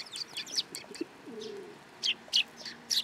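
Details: Sparrows gathering to be fed at a Tenmangu shrine on 10 July 2022: short, loud chirps at the start and end, with a low, soft pigeon coo in the middle.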